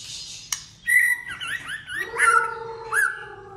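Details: White-rumped shama in competitive song: a click, then a series of rising and falling slurred whistles layered with a lower steady whistle, ending in an upward flourish.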